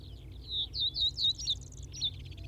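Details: Common Reed Bunting in Wakka Primeval Flower Garden, Hokkaido: loud, high, downslurred whistled notes in a quick irregular series, with a faint thin overlapping twitter and low background hum.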